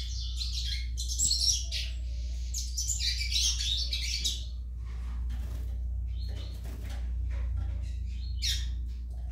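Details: Young Yellow-bellied Seedeater (coleiro baiano) singing: bursts of high, scratchy chirps and short twittered phrases, with pauses between them and a low steady hum underneath.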